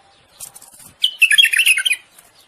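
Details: Common bulbul singing to court and stimulate a female to breed: after faint chirps, one loud, rich warbled phrase of quick rising and falling notes lasting about one second.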